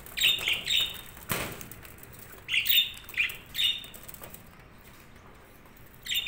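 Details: Budgies giving short squeaky chirps in small clusters, with a single soft thump or wing flutter partway through and quiet pauses between the calls.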